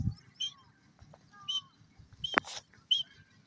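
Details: Irani teetar partridge chicks calling their mother: thin, high whistled peeps, short and clear, repeated at irregular intervals about every half second, with a soft rustling background and one sharp knock.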